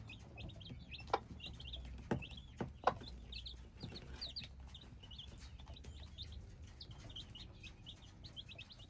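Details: Hybrid chicks peeping as a group: a steady stream of short, high, slurred peeps overlapping without pause, with a few sharp knocks near the start and a low background rumble.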